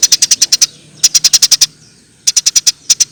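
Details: Chirping of a Eurasian tree sparrow meant as a singing lure: three tight volleys of loud, high, clipped notes, six to seven per burst, then two isolated chirps.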